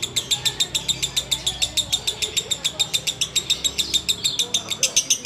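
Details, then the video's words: A sooty-headed bulbul delivers its ngekek song late on a Ramadan fasting day: a long, unbroken run of rapid, sharp, high-pitched chattering notes, evenly spaced at roughly four per second. "Ngekek Biang Kerok"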